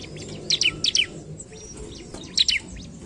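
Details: A bar-winged prinia calling to provoke rival birds gives short paired and tripled high, downward-slurred chirps, separated by a second of quiet, with faint ticks in between.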